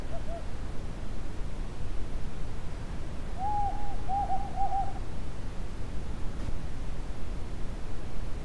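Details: A pair of Desert tawny owls calling at night in a remote part of Israel's Judean Desert: a single soft hoot, then a quick run of four or five mellow, evenly spaced hoots, over a steady low rumble.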